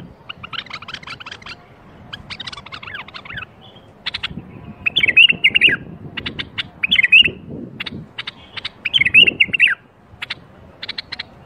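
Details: Bulbul song in birwaz style, played to start other bulbuls singing: dense scratchy chattering at first, then three bright whistled warbles about two seconds apart, separated by clipped high chirps, with low rumbling underneath.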